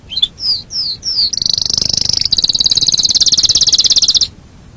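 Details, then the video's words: Canary on a songbird training recording: a few short swept notes leading into a very fast, high, shimmering trill lasting about three seconds, then silence. "Masteran Suara Kenari"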